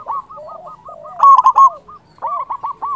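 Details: Zebra dove, local bird with a big voice used to lure wild doves; a loud rapid series of rolling coos in the middle, framed by quieter continuous cooing from other doves.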